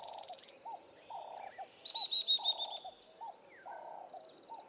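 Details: Spectacled Weaver in Eastern Cape bush, South Africa, giving a short run of sharp, high, evenly spaced notes, the loudest sound here, over repeated low cooing phrases and occasional thin chirps from other birds.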